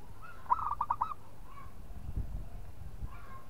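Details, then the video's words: Rolling, stuttered cooing phrase of five quick notes from a local zebra dove goading a rival, followed by faint drawn-out softer coos and low background rumble. "PERKUTUT LOKAL GAJOR JAGO MEMANCING LAWAN BUNYI"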